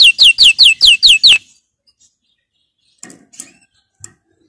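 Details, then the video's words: Training song of a canary: seven bright, sweeping notes repeated rapidly for just over a second, followed by quiet with a few faint knocks and rustles. "Canary 's most powerful song for training"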